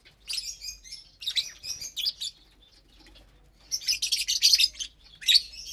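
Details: Lovebirds feeding together on a Saturday morning, April 30th, 2022, on vegetables and grain mix: bursts of sharp, high-pitched chirps separated by a brief lull, then a longer run of dense chattering.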